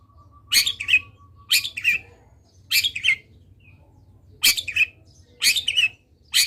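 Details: Long-tailed shrike in full energetic song, used as a tutor recording to prompt other shrikes to sing: harsh, scratchy bursts of notes roughly once a second, with short gaps between them and a faint low steady hum underneath.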